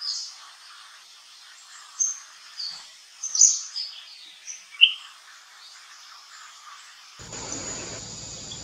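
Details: Flame-throated bulbul (Rubigula gularis), song.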